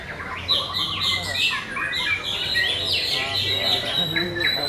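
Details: At a bird singing competition, a white-rumped shama pours out loud, rich whistled song, ringing steady notes mixed with swooping slurs and quick trills, against other birds' overlapping songs and low background voices.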